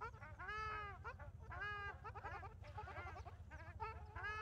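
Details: Ruddy shelducks at Maguri, Assam, give loud, nasal, goose-like honks, arched in pitch and repeated roughly every second, with calls overlapping over a steady low engine-like rumble.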